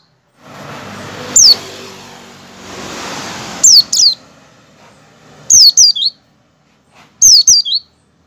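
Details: Oriental white-eye (Zosterops palpebrosus) calling with thin, very high downward-sliding chirps, singly or in quick pairs about every two seconds, over a soft low rumble early on; used to prompt other white-eyes to sing.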